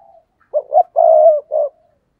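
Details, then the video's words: Spotted dove decoy cooing to entice wild doves. A faint coo comes first, then a phrase of two short notes, a long drawn coo and a short closing note, all low and soft. "tiếng cu gáy thúc bổi"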